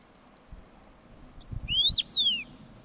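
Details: A single bright whistled phrase from a common rosefinch, a few liquid slurred notes rising then dropping, with soft low thumps beforehand.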